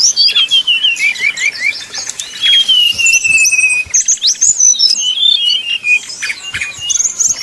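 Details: Brown-chested jungle flycatcher in flute-like 'nyuling' song, played to make rival birds sing: a long falling whistle, varied high slurs and buzzy trills in quick succession.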